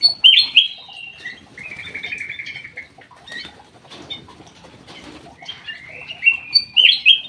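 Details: Black-crested bulbul singing in an aviary: a bright warbled phrase opens, a buzzy slurred phrase follows, then pauses with faint rustling and wingbeats before another bright warble ends it.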